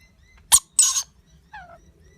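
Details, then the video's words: Baby lorikeet begging while eating with its parents: a sharp short rasp, then a longer buzzy squawk, followed by a soft descending chirp. "Baby bird lorikeet feeding"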